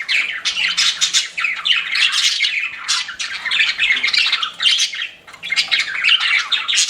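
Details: Lively pet budgie chirping: overlapping grating warbles and squawky notes in steady bursts, with a short dip in volume near the end.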